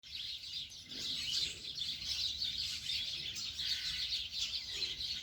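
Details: Birds calling their owner for food: a dense, continuous chorus of high, rapid chirps and tweets from many birds, overlapping without pause throughout.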